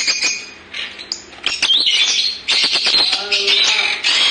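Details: Lovebirds chirping: dense, continuous shrill chirps and squawks overlapping from several birds, loud and busy throughout with harsh high calls.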